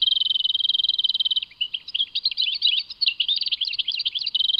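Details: European goldfinch song from Tadmait. It opens with a rapid, even trill lasting over a second, then breaks into jumbled, tinkling twitters and ends on a short trill.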